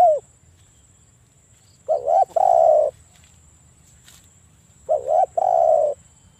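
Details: A spotted dove, presented as a captive calling bird to lure others into answering, gives two soft, low cooing phrases about three seconds apart, each a quick note followed by a longer, throaty coo. The background is quiet.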